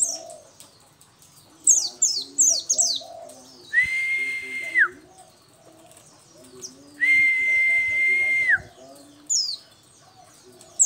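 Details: Oriental white-eye of the local 'dakun' type in full song, bursts of high falling twitters at the start and end, separated by two long steady flat tones and faint low background chatter.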